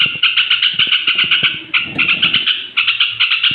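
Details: Straw-headed bulbul singing toward bedtime to excite rival bulbuls: quick repeated bright notes in several short runs, with faint low knocks beneath.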